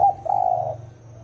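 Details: Single deep 'thổ ồm' phrase of a spotted dove, the cooing style used to stir wild doves: a clipped opening note running into a longer, slightly throbbing low coo that fades out.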